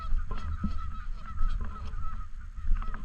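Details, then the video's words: Flock of Canada geese at a lake in a park, short nasal honks in an uneven run with a few louder peaks, over strong low-frequency wind noise. "Canadian Geese Honking In And Around The Lake"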